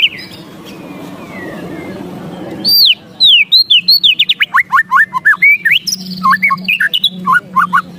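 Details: White-rumped shama ketrekan in an agitated state: after a quiet start, a loud, rapid stream of sharp down-slurred and up-slurred whistled notes and clicks, about two per second, continuing to the end.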